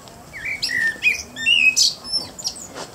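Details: Evening song of a common blackbird, a run of mellow whistled notes gliding between pitches, then brief high squeaky twitter notes at the end.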